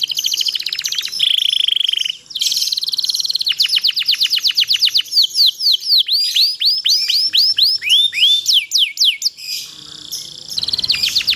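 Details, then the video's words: Canary song used to train other canaries into long, frequent singing: fast high trills open, then a long series of ringing swept notes repeated about four times a second, sliding up and down, ending in scratchy twitter. "cuit cuit ceer suara kenari ini ampuh buat masteran segala jenis burung kenari jadi gacor panjang"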